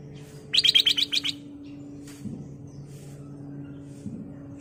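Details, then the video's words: Black-crested bulbul in full song, used as a lure recording, gives a quick burst of about seven bright, chirpy notes in under a second, then near silence over a low steady hum. "Kicau Burung Kutilang Emas Gacor/ Pancingan Kutilang Emas"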